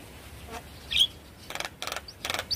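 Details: Javan myna song used to coax a silent bird into singing: a brief sharp whistle, then three rapid scratchy chattering bursts about half a second apart, each ending in a thin high whistled note.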